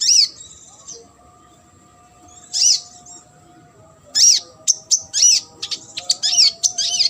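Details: Sunbird song, from a training recording for competition birds: loud, arched high squeaks spaced a few seconds apart, then a rapid cluster of sharp chirps and swooping notes.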